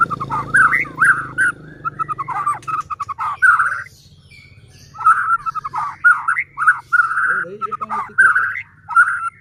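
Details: White-rumped shama song used to stir other shamas into singing: choppy, mid-pitched whistled and chattering phrases in bursts, a short pause, then more of the same over a faint low hum.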